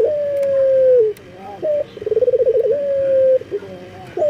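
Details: Calling to attract females, a breeding male local collared dove gives a long level coo, a short rising note, then a rapid throbbing trill that settles into another drawn-out coo.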